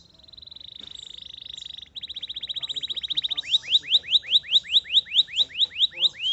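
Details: Canary song beginning with a long rapid trill at one pitch, speeding into a stuttering rattle, then a series of rising whistled slurs repeated more than twice a second.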